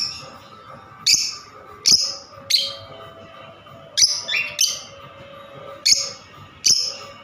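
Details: Lovebird giving shrill, high-pitched squeaky chirps, single or paired notes roughly every half second to second, with a soft constant hum in the background.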